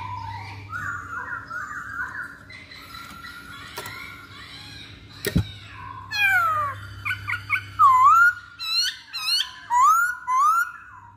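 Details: Masked laughingthrush singing a lure song in captivity: a soft wavering whistle first, then a sharp crack, then loud rising and looping whistled notes in uneven bursts.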